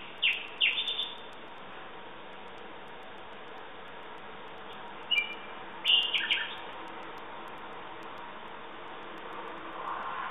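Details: Song of a common nightingale in separate bursts: a quick chattering phrase at the start, a pause of several seconds, then paired sharp notes and a fast trill, with a soft lower phrase at the end.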